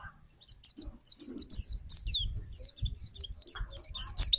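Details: White-eye lure song: scattered high, thin, slurred whistles and twitters, growing denser and louder, over low thumping and handling noise.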